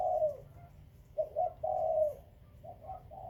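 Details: Spotted dove among Khmer and Malay breeding birds, cooing softly: the tail of one long note, then two quick hoots and a sustained purring coo, a new phrase beginning at the end.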